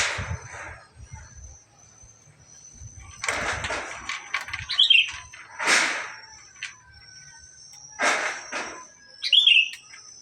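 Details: Male black-capped lory giving three loud, harsh, broadband screeches about two and a half seconds apart, with short, sharp, downslurred whistled notes in between over a quiet background.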